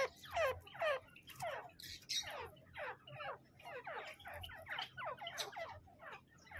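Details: Harsh, sweeping calls from a male and female grey francolin, or teetar, repeated about twice a second in an uneven, scratchy rhythm over faint low rumble.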